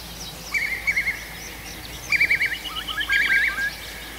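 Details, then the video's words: Birds singing at night in a forest in Russia's Arkhangelsk region in June: short warbled phrases and quick wavering trills in bursts separated by pauses, over a soft steady background hiss. "Пение птиц в ночном лесу"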